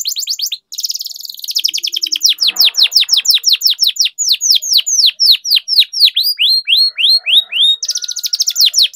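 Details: Canary song meant to lure quiet canaries into singing: a dense burst of trills, then a long series of loud falling whistled notes repeated about twice a second, closing with another rapid trill.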